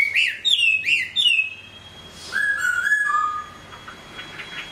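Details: A moulting Hwamei sings repeated bright, arched whistles, then a few lower, drawn-out whistled notes that fade into quiet.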